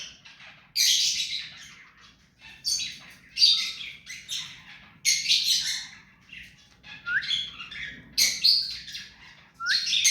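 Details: Pet rose-ringed parakeet, tame to the hand, producing a series of short harsh chirps and screechy squawks about every second, some ending in brief rising whistles, over faint hum.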